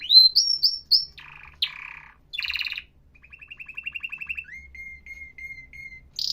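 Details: A canary sings a medley of phrases: rising whistled notes, a harsh buzzy rattle, a soft even trill, then a row of thin level chirps repeated about twice a second, ending on a sharp high note.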